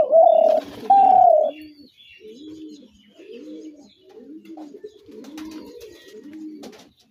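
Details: Spotted dove giving two loud, steady coos, followed by a run of softer, lower, arched coos repeated roughly every second.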